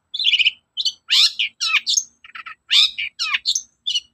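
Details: Long-tailed shrike in morning song, used to make other shrikes respond: loud, harsh, squawking notes, some rising and falling, with a short stuttered buzz in the middle and crisp gaps between notes.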